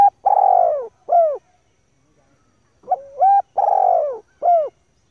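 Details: Female spotted dove call for rousing decoy birds and training young ones. Starts mid-phrase with a long buzzy falling coo and a curved note, then after a pause a full phrase: stuttering rising notes, a long coarse coo, and an arched ending.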